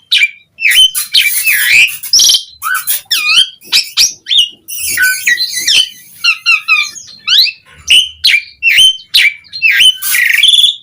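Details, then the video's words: Busy, varied Asian pied starling song in the gacor full-isian style for luring other starlings: rapid chatter, buzzy rasps, trilled passages and bright whistles following one another almost without pause. "Suara Kicau Jalak Suren Gacor Efektif Memancing Semua Burung Jalak Auto Respon Cpt Gacor Full Isian"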